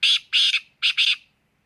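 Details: Black francolin calling: loud, harsh, grating notes in two groups, a single rasp then a clipped double rasp, each burst short and buzzy, with silence after and no other sounds.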